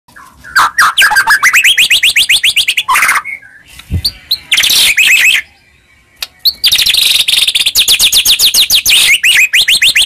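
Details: White-rumped shama singing to provoke a reply: fast runs of rising whistled notes, bursts of rapid trills and harsh buzzy phrases, with short pauses between loud phrases.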